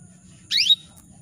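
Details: Female canary calling to males: a single brief, loud chirp of about a quarter second, a falling buzzy burst sweeping from high down toward a clear whistled tone, over quiet low background hum.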